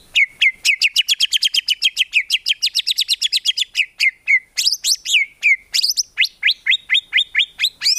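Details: Murai batu, or white-rumped shama, singing in a training recording for songbirds, full of fill-ins and tembakan: a fast regular series of sharp, sweeping notes about four per second, then varied swooping whistles and high chips.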